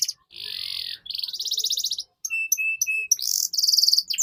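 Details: Canary training song for young birds: a dense buzzy trill, then a fast rattling tour, a set of flat clear whistled notes, and a closing high buzzy roll, all quick and bright.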